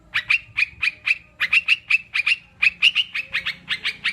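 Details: Sooty-headed bulbul used as a calming, singing-stimulus recording for kept birds: clipped, bright notes in fast uneven runs, with a brief pause after the first second.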